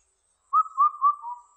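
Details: A single phrase of Indian cuckoo song: three clear whistled notes and a softer, lower fourth, in silence.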